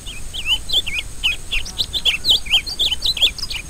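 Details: Rusty-collared seedeater in full song, a fast continuous stream of sweet whistled slurs and twisting notes, about four per second, varied and lively, with a constant high-pitched hiss behind.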